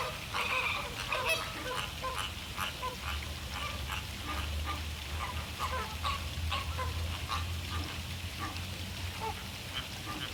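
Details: A flock of American flamingos (Phoenicopterus ruber) during a courtship mating dance keeps up a dense, overlapping chorus of nasal, goose-like honks and grunts, with a low steady hum underneath.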